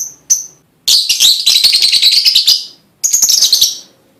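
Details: Lovebird lure song meant to prompt other lovebirds to sing: two sharp high chirps, then a long, fast, buzzy chattering trill lasting over a second, a pause, and a second shorter rapid chatter.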